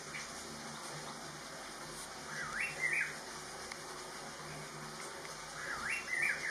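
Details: Rufous-throated partridge at Doi Inthanon, Thailand, gives two short bursts of clear rising whistles about three seconds apart, over a steady hiss of background noise.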